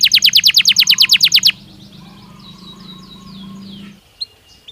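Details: Belgian canary song opening with a loud fast trill of repeated sharp notes for about a second and a half, followed by faint, softer twitters and a low steady hum in the background.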